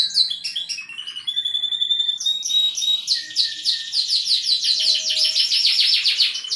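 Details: Canary performing 'gacor cengkok merdu' song. Varied high chirps and short whistles open the phrase, which then builds into a long, fast rolling trill with a sharp edge.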